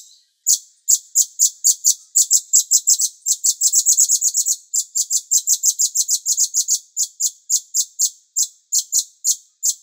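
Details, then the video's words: Bulbul, master song for training songbirds: long string of thin, high chirps that speeds into a dense rattling burst, then slows to evenly spaced notes. "MASTER CUCAK CUNGKOK Jeda Terapi Air"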